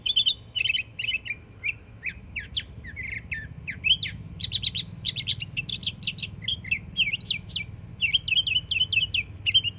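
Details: Florida yearling northern mockingbird in full song: dense, varied phrases of buzzy and whistled notes, each type repeated a few times in quick succession before changing, almost without pause, with faint low hum beneath.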